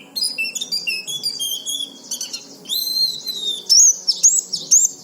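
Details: Oriental white-eye song used to stimulate other white-eyes: quick high twittering with clear level whistled notes at varying pitches, then sharp rising and falling chips.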